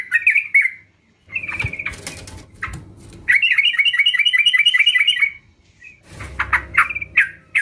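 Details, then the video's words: Sooty-headed bulbuls singing together as a lure to draw song from other birds: short bubbly phrases, then a run of quick, even, rolling notes about seven a second for two seconds, with scratchy chatter before and after. "Pancingan Trucukan Bahan Ombyokan"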